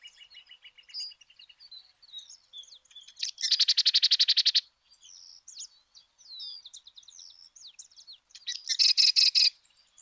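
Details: Ratona aperdizada (Sedge Wren) from Argentina: a run of high, scattered chips and short notes broken by two loud, dense, buzzy rattling trills, the first lasting over a second, the second shorter near the end.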